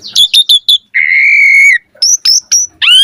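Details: Asian pied starling in lively singing with full variation, used to train birds: a quick series of five high chirps, then a long steady whistle held for almost a second, followed by high piping notes and a rising whistle.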